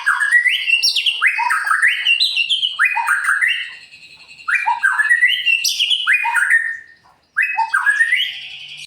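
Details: Captive murai batu, or white-rumped shama, in full gacor song for provoking other birds: loud rising and falling whistled phrases in quick sequences, separated by two brief pauses.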